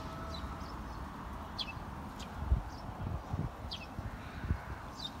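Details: Sparrows hidden in trees along a riverside footpath at Kanazawa-Hakkei, Japan, with cherry trees planted by the river, 11 May 2019, about 3:13 pm; short high chirps every second or so over soft low rumbling and clatter.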